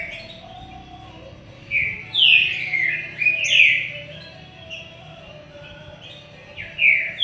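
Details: Green-winged saltator (trinca-ferro) giving rich whistled song phrases of loud downslurred notes, several run together, then a pause and a final pair, with faint low hum behind.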